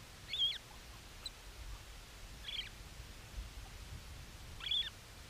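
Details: A Bermuda petrel on Nonsuch, 24 March 2020, gives three short, high, squeaky notes about two seconds apart over a steady low rumble of wind or surf.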